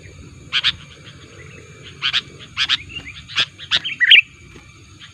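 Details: Sooty-headed bulbul lure sound meant to draw in rival bulbuls: a few spaced pairs of sharp chips, ending in a brighter slurred whistle, with steady low hum behind.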